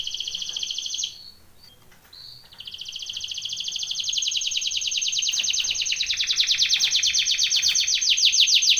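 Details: Singing canary for training: a short trill, a quiet gap with a couple of faint notes, then a long rapid trill growing steadily louder over six seconds.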